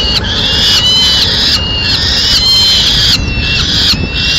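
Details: Madrid, 4 May 2016: the male peregrine falcon brings a swift and tears it up for the chicks. Long, harsh, slightly wavering screeches run together in drawn-out bursts separated by brief breaks.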